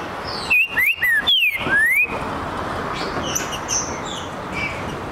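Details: Green-winged saltator answering after being provoked: a short burst of clear slurred whistles, rising and falling, over about two seconds, then quiet with faint distant bird notes and steady background hiss.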